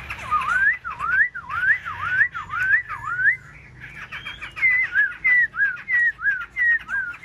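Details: Fanning its wings and tail, a caged black-throated laughingthrush repeats a rich, up-slurred whistle roughly every half second, then switches to a series of sliding, down-slurred whistled phrases.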